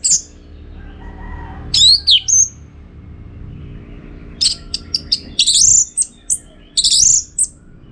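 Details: Orange-headed thrush singing, meant for training birds for song contests, Singaraja, Bali: high varied whistles and mimicked-sounding chirps in quick bursts, with short gaps between phrases.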